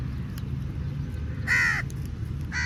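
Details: Crow calling for food: one loud, harsh, nasal caw about a third of a second long near the middle, then a second caw starting at the end, over a steady low rumble of wind or distant traffic.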